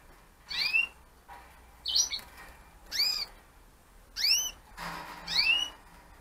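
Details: Gloster canaries kept as breeding pairs, a breed standardised by the IGBA; clear, sweeping downward-curving chirps repeated about once a second, each a bright slurred note, with quiet room background.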